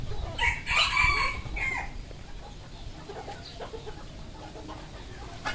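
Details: Red junglefowl on a farm in Cambodia: a loud harmonic crow-like call lasting about a second and a half opens the recording, followed by a steady background of faint peeping and clucking from other fowl.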